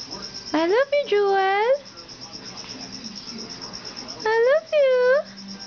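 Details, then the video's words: Talkative pet Moluccan cockatoo imitating human speech: two bursts of loud voice-like syllables, each a quick rising note followed by a longer swooping word that dips and lifts again, like repeated hellos. "TALKATIVE JEWEL "Moluccan Cockatoo""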